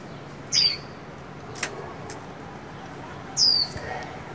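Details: Chinese hwamei repeating a loud, high whistle that slurs downward, sounded twice about three seconds apart with faint clicks between against a low hum.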